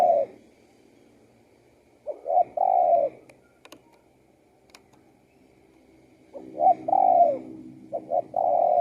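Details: Spotted dove song with soft phrases of two brief notes and a long mellow coo, repeated after a pause of several seconds; a couple of faint clicks between.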